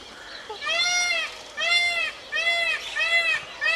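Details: Screaming peacock repeating loud, drawn-out, arched wails about every three-quarters of a second, each rich in overtones, with soft outdoor noise between calls.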